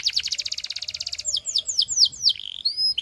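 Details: Fast even trill from a Russian singing canary shifts into five or six loud descending whistles, followed by a short buzz and a thin, sustained high note.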